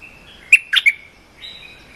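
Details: A cream-vented bulbul, in a short song used for training young birds, gives a brief, bright phrase of three sharp chirps, then a thin sustained whistle, all high-pitched over a quiet background.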